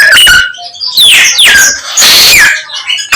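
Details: Chinese hwamei singing vigorously, its song filled with imitations of many other birds; loud bursts of whistled notes with sharp downward-sweeping slurs, separated by short silences.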